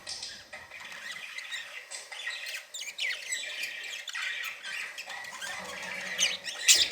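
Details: Pet budgerigars, described as happy and playing, give a dense, continuous warbling chatter of scratchy high notes and squeaks that builds toward the end with louder bursts.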